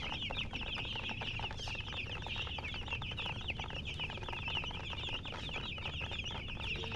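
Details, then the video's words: Baby chickens cheeping in a group: unbroken overlapping high peeps, each short and falling, forming a dense steady chatter over light background rumble. "MURGI Baby "Chicks Chirping""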